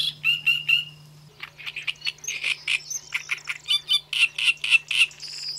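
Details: A Great Reed Warbler in spring in the Ebro Delta, Spain, sings a loud, grating run of harsh chattering phrases, about four notes a second, over a faint steady low hum.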